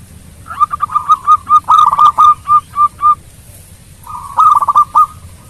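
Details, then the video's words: Sweet-voiced local Zebra dove in full song, used to make rival birds answer quickly: a loud, evenly spaced string of short cooing notes, about two per second, ending, then a fast rolling phrase after a pause. "Perkutut Lokal Gacor Suara Merdu Bikin lawan cepat nyaut Bunyi"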